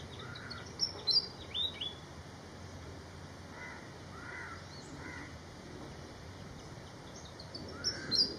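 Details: Malaysian pied fantail flying in Malaysia gives clusters of high, sharp chirping notes at the start and end, with lower, hoarse caw-like calls in the quieter middle and constant background hiss.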